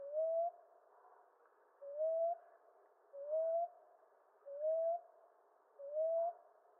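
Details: Common ground dove (Columbina passerina) giving soft, low, rising coos, five in a row spaced about every 1.4 seconds, each a short upslurred 'woo-up' note over a quiet background.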